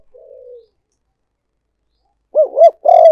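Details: Spotted dove decoy call for luring: a soft low coo, a pause, then two looping warbled notes leading into a loud, drawn-out coo.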